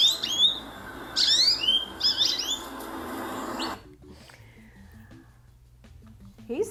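A goldfinch sings a quick, high twittering run of varied chirps and slurred notes for about four seconds, then a voice speaks quietly indoors.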